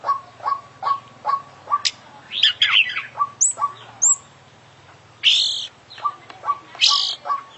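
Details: Oriental magpie-robin, an international champion songbird, delivering full isian mimicry song: short low notes repeated steadily, broken by buzzy chattering phrases, pure high whistles and loud harsh bursts.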